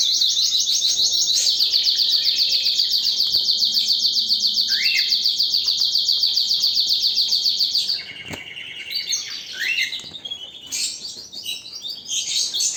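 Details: Canary in powerful song, opening with a very long, fast, regular trill of repeated high notes lasting about eight seconds, then shifting to varied lower twittering phrases and renewed high trills.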